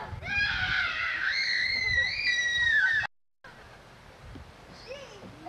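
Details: Pet female Yellow-backed chattering lory recorded decades ago; a loud harsh drawn-out screech with layered tones lasts about three seconds, then a quieter stretch with a few faint short calls.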